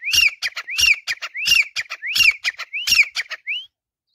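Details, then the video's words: Caged Grey Francolin (desi teetar) calling from a swing perch: a fast run of six rising, slurred whistles roughly every two-thirds of a second, each broken up by sharp broadband clicks and rattles. "Teetar ki Jhula Par Awaz | Dysi Teetar Ki Masti | تیتر کی جھولا پر آواز | Francolin voice"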